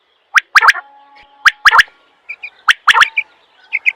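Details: Quail call: loud, snapping three-note bursts repeated about every second, with soft high twitters between phrases.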